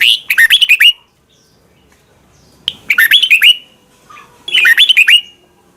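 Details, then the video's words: Three bursts of quick, bubbling whistled notes from a Red-whiskered bulbul, Thai song played daily so young birds learn it, each burst roughly a second long with quiet gaps. "นกกรงหัวจุก | Thailand bird, 30 นาทีทุกเช้า เพื่อให้นกเรียนรู้ที่จะพูดได้อย่างรวดเร็วและหนักแน่น"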